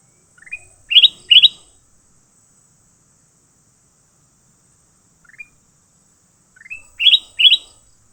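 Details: Fighting leafbirds give loud, bright, upward-slurred chirps in two tight clusters of three notes each, one at the start and one near the end, with a single soft chirp between and silence around them.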